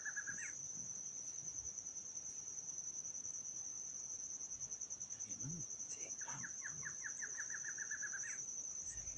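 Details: Barred antshrike, recorded at the species' southernmost known locality, ends one accelerating run at the start, then after a pause delivers another quickening series of clipped notes finishing with an upward note, over constant shrill insect buzzing.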